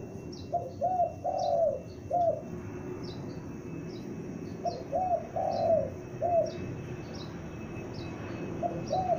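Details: Young spotted dove used as a decoy, calling loudly: a low cooing phrase of about four notes, one long, repeated twice and begun again at the end, over steady hiss and faint high chirps.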